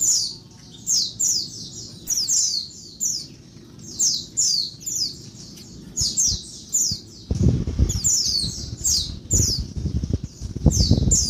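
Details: Female Oriental white-eye calling noisily by day to spur males into song: a long run of thin, high, downslurred squeaks in pairs, with heavy low thumping and handling noise in the latter part.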